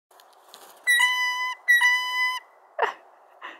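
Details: A blue jay perched on a person's hand gives two drawn-out, creaky squeaky-gate notes, each about half a second, rich and harmonic like a rusty hinge, followed by a couple of short rasping sounds; rarely recorded from this bird.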